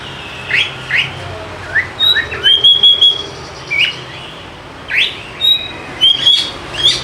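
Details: Oriental magpie-robin song played to get idle birds singing, short separated phrases of quick upslurred whistles and clear sustained notes, roughly one phrase every second, with quiet gaps between.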